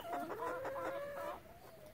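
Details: A chicken from a relaxed flock gives one smooth, sustained, slightly rising call lasting over a second, with faint clucks around it.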